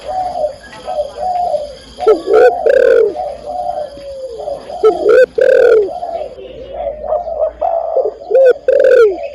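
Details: Female spotted dove calling to the male: soft, low rounded coos repeating through the clip, broken by several very loud, harsh, clipped coo notes around two and five seconds and again near the end.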